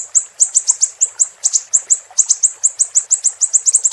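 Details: Siri-siri tutor song for cage birds: quick, high, slightly slurred chirps in uneven clusters, speeding up toward the end of four seconds.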